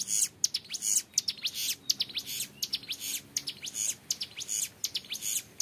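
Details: Clear, drawn-out ngebren singing from an active young hill prinia, a tutor track: repeated rapid clusters of very high, sharp, buzzing notes, about eighty bursts a minute, almost nothing in the low range.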